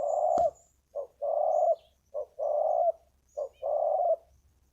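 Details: Big-voiced decoy spotted dove at a ground arena, singing to draw wild doves: steady phrases of a brief low coo and a long purring croo, repeated three times at a regular pace, with a sharp knock near the start.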